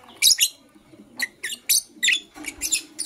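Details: Lovebirds of blue opaline and parblue euwing opaline colouring chirp in the morning: loud, harsh, high chirps in short bursts about every half second, some grouped in pairs, against a quiet indoor background.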